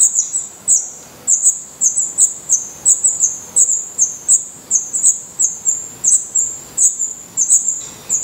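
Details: Black Redstart nestlings in their nest in Portugal, eyes open and definitive feathers coming in, utter sharp, very high-pitched squeaks in short spaced bursts, roughly one to two per second.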